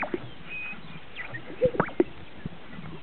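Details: Greater sage-grouse displaying at a lek in northern Utah: soft swishing rustles, then two hollow, bubbly pops a third of a second apart, low and brief, over a quiet outdoor background.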